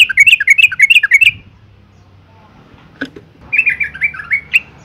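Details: Female yellow-vented bulbul giving provoking calls to make males sing: a rapid string of buzzy-edged chirps, then a quiet gap with one soft tap, followed by a looser, rising-and-falling chatter.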